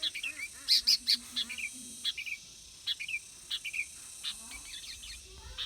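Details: Red-vented bulbul singing short, liquid chirps and paired notes at irregular intervals, some louder bursts early on, over a steady high insect-like hiss.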